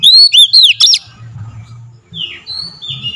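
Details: Short burst of oriental magpie-robin lure song meant to stir other birds into singing: several loud arched whistles in under a second, followed by quiet, softer drawn-out notes over a faint low rumble.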